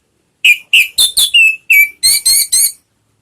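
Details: Orange-headed thrush, a lure recording meant to make a kept bird sing: nine clear whistled notes in under three seconds. They shift between falling slurs and flat whistles, with rich overtones.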